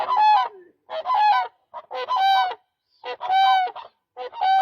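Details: Demoiselle crane giving loud, rich honking calls with a nasal, slightly rolling tone, each about half a second long and repeated roughly once a second, with short silent gaps between them.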